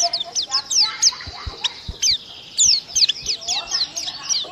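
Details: Indonesian cage white-eye singing a fast, dense chatter of high slurred notes in quick bursts, with soft low knocks and some background noise beneath.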